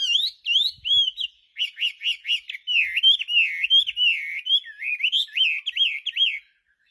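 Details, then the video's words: Chinese hwamei singing in lively form: loud, clear whistled phrases of looping, rapidly repeated rising-and-falling notes, about two to three per second, in bursts separated by brief pauses, with a short silence near the start and end. "Kicauan Burung Hwamei//Wambi Gacor"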